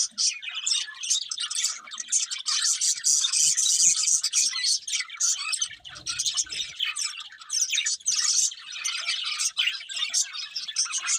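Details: Eating budgies in song: a steady flock chatter of fast chirps, buzzy scratches and whistled squeaks, bursts repeating roughly twice a second, with a brief low rumble near the middle.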